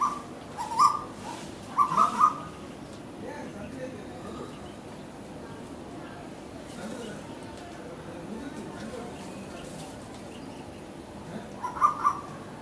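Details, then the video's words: A cuckoo visiting a garden gives short, clear mid-pitched notes, described as fighting calls used for communication: a single note, then a quick pair, then another pair near the end, over a steady low hiss. "Sound of Cuckoo bird fighting"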